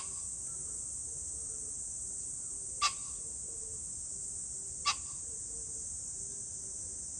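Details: Pheasant recorded on 21 July 2024, giving two brief, loud, rasping bursts about two seconds apart. A constant shrill insect drone and faint low repeated notes from another bird sit in the background.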